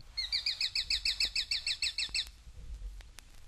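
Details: Sharp-shinned Hawk from a 1961 eastern/central North American bird-song guide gives a fast, high, sharp kik-kik-kik series of about a dozen notes over two seconds, then faint clicks and background hiss.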